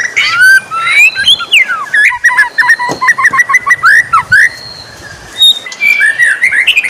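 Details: White-rumped shama singing in the morning, a dense mix of loud slurred whistles, fast chattering notes and rising phrases, continuous and varied.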